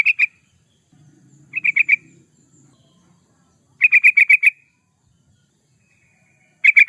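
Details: Energetic yellow-vented bulbul song for use as a lure or master recording: brief clusters of bright, bubbly notes, one a run of six quick notes, with near silence between phrases.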